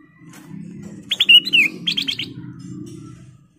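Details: A sooty-headed bulbul delivers a lively burst of liquid, falling slurred whistles followed by several rapid repeated notes, over a low background rumble. The recording is meant to lure and provoke other birds.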